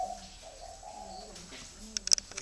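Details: Grey-legged, red-eyed spotted dove kept in a cage in Ba Vì district, Hanoi, Vietnam, delivering its 'thổ'-style song: a low, mellow run of soft coos flowing together, followed by a few sharp tapping clicks at the end.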